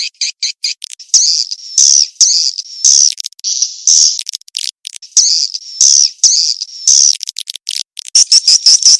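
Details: High-pitched swiftlet twittering used as a mating-chase lure, with short chirps alternating with longer buzzy, slurred trills in uneven bursts and a quick chattering run at the close.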